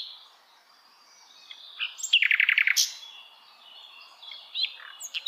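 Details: Hill blue flycatcher singing in the wild: faint high notes, then a fast run of about ten bright, even notes, followed by scattered thin high chirps.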